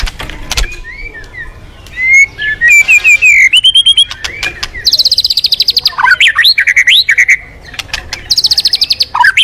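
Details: Varied white-rumped shama song meant to coax other birds into singing: rising and falling whistles, clear pure notes, and long rapid rattling trills at very high pitch, loud and continuous.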